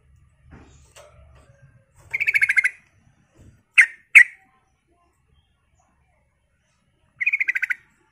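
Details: Sooty-headed bulbul in full voice, played as a lure to prompt other bulbuls to reply: a rapid buzzy rattle of quick pulses, a double chirped note, silence, then the fast rattling trill again.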